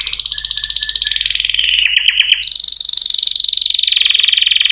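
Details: Singing canaries: rapid pulsed trills around high pitch, shifting from a buzzy rattling phrase into a steady fast rolling trill that runs to the end.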